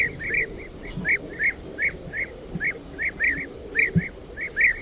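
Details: European bee-eaters in Ukraine calling to each other while circling over the colony: rolling, liquid 'prruip' calls from several overlapping birds two or three times a second, over a low rural rumble.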